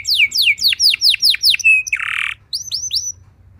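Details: Canary song meant to get other canaries singing: about eight loud, sweeping downslurred whistles in steady succession, a held tone and a rasping buzz, then three clear upslurred whistles.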